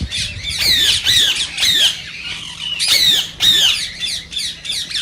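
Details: Rose-ringed parakeet, the green Indian ringneck, calling to stimulate singing and mating: loud, harsh, shrill screeches in short bursts of two or three, separated by brief pauses.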